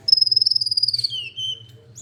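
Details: Olive-backed sunbird delivering a single rapid, rattling high trill that slowly descends and then ends in a lower, buzzier section, accompanied by a low steady hum.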